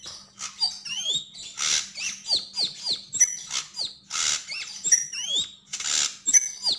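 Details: Javan grey-throated white-eye singing and chattering: tumbling mix of high upslurred and downslurred whistles and repeated harsh rasping bursts, fast and loud throughout.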